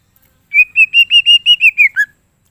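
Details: Greater green leafbird whistling a run of eight clear, evenly spaced notes on a steady pitch. The final note drops lower and ends the phrase. Crisp and loud.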